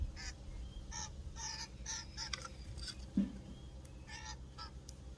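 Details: Common grackle in a backyard in Ontario, Canada, giving harsh, nasal, honking calls about twice a second over a steady low rumble.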